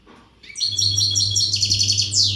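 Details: European goldfinch, an untutored Western bird in readiness condition, pouring out a continuous phrase of fast, bright, buzzy trills and tinkling notes, closing with a descending sweep, above a low humming background.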